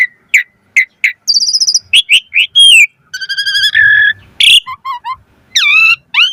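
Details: Full-variation 'mompa' song of an Asian pied starling, meant to make kept starlings sing: spaced sharp chips, a fast buzzy trill, a harsh loud note, then short falling whistles and rising slurred calls.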